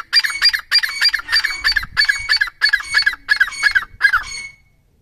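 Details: Wild francolin from a pair in the breeding season giving a loud, ringing series of harsh double notes, about eight paired phrases repeated in quick rhythm over five seconds, then stopping, with faint low background noise.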